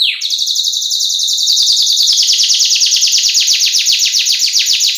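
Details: Canary in full song for a lure and tutor recording: after a short rising note, a long, very high, fast rolling trill that stays loud and even for about five seconds.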